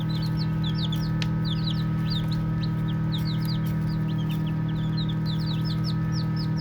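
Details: Chirping baby chicks at play give rapid, overlapping high peeps, each a brief slurred note, pouring out continuously above a constant deep droning hum.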